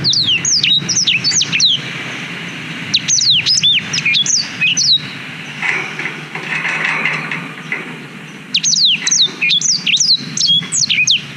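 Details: Black-throated canary song, used as a tutor for young canaries, recorded on a GoPro Hero 5: rapid runs of clear, high, sharply falling whistled notes, a short pause, then another burst of swooping notes over a low background hum.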